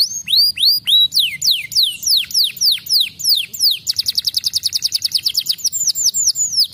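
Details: Canary song used as a lure to get young canaries singing and rolling: a series of loud descending whistled slurs about three per second, then a rapid rolling trill, then more slurs.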